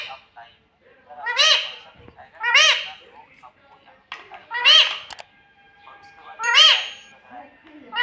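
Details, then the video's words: Pet green rose-ringed parakeet mimicking the word "mummy", repeated four times at uneven gaps of one to two seconds; each utterance is a loud, harsh, nasal two-part squawk, with faint clicks between. "Tota kese bolta he mummy mummy"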